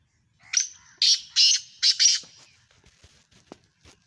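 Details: Sindhi Black Francolin in Pakistan: a sharp first note then four harsh, buzzy bursts in two pairs, followed by faint scattered clicks and ticks.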